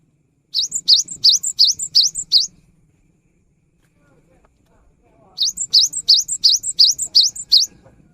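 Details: Cinereous tit in full gacor song, meant to prompt quiet birds to start singing. Two runs of six to seven brisk upswept double notes, roughly three per second, broken by a silent gap of nearly three seconds.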